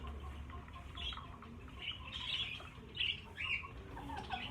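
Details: Caged budgerigars, about fifty birds being moved to a bigger flight cage, give short chirps and scratchy warbles in scattered bursts, some sharper notes near the end, over a low background hum.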